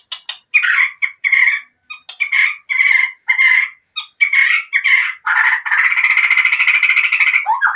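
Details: Medan white-rumped shama singing hard (gacor): a string of short, harsh, buzzy notes repeated every half second or so, giving way to a long continuous grating rattle with a rough tone.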